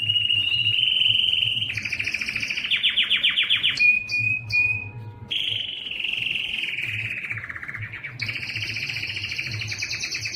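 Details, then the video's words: Yellow canary in full song, sustained rolling trills shifting between middle and higher pitches, with a short pure whistle and brief chatter midway, low hum underneath. "yellow canary singing"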